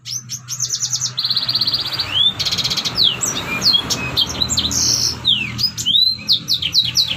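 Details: Red siskin song recorded as a training piece for other songbirds: a busy, varied stream of high trills, buzzy rattles, rapid repeated notes and sharp upslurred chips, with a low hum underneath.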